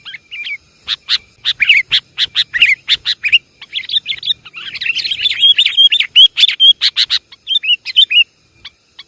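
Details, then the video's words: Javanese sooty-headed bulbul lure sound: harsh chattering notes repeated quickly, followed by a tangle of bubbly, warbling whistles, then more scratchy chatters. "Suara pikat burung kutilang paling banyak di cari"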